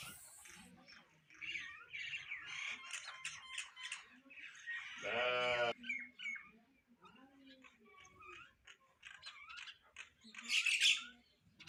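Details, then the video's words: Sparrow flock chirping as they eat, a steady stream of quick chirps about three per second, broken midway by a loud harsh squawk, with low background sounds. "eating Sparrow Chirping Sound | Sparrow Birds Eating Food Chirping"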